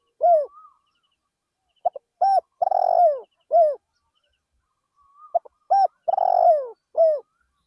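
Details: Spotted dove used as a decoy in farmland fields sings two full phrases, each short soft notes then a flat coo, a long rolling falling coo and an end coo. A faint thin whistle precedes each phrase.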